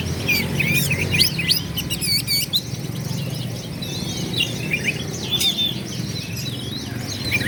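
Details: Oriental magpie-robin singing vigorously to provoke rival males into fighting and tail-spreading. Dense, overlapping high whistles, sharp upslurs and rapid trills pour out almost continuously over a steady low background hum.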